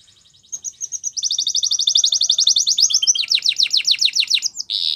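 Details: Canary starting softly, then building into a long rapid trill of high chirps that shifts into deeper swooping notes near the end.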